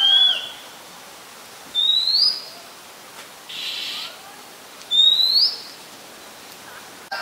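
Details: Oriental magpie-robin singing in Ubon Ratchathani, Thailand, on 18 April 2022, a very common resident recorded with a Nikon P1000. Bright upslurred whistles spaced roughly three seconds apart against a soft hissing background.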